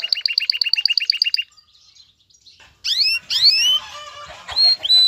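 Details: Excited male canary singing to call a female to mate. The song opens with a fast, even trill of paired high notes, then a short pause, then loud rising and falling whistled sweeps and held notes.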